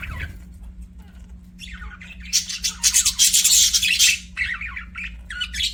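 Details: Budgerigar chirping: after a quiet start, a burst of loud, harsh, scratchy warbling chatter swells for about two seconds, then breaks into shorter chirps, with a faint steady hum underneath.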